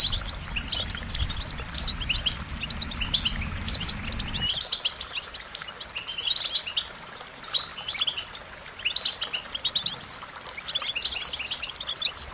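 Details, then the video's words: Goldfinch singing a long run of high, tinkling twitters and thin whistled notes in repeated bursts. A low rumble fills the first few seconds, then fades. "Goldfinch Melodies: A Collection of the Most Beautiful Songs"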